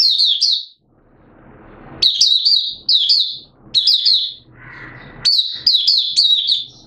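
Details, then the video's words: Caged oriental white-eye from Malaysia during minor moult: bright high chirp bursts, a soft rustling lull, then several more quick twittering phrases; recorded 2 April 2023. "Malaysian Mata Puteh Buka Sing"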